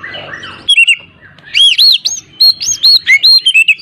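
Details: Oriental magpie-robin singing, played as a lure to stir a reluctant bird: a soft slurred start, then strong looping whistles repeated in quick series, rising and falling.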